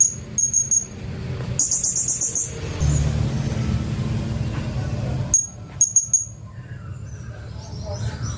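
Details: Blue-crowned hanging parrot song used as training material for white-rumped shamas: brief bursts of very high, thin, sharp squeaky notes in short clusters, separated by stretches of low background rumble.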